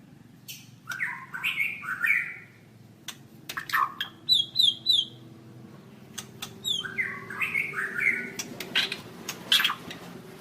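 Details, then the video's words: White-rumped shama song for training other birds: bursts of rich whistled phrases, sliding and warbling, with short sharp high notes between, in two main runs separated by a pause; a faint low hum underneath. "Suara Burung Murai Batu"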